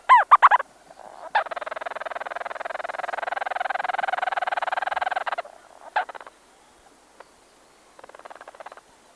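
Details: Two Leach's storm petrels calling from a burrow, close up: a few harsh chattering notes open into a long, steady purring churr of about four seconds, then shorter rasping bursts and soft churring.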